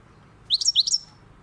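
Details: European goldfinch, described as wild, utters two quick, high, sweet rising-then-falling notes in close succession against a nearly silent background.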